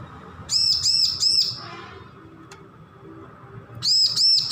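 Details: Young weaned bar-winged prinia learning song, producing three sharp arched notes in a fast burst, falling silent for about two seconds, then starting again with two more.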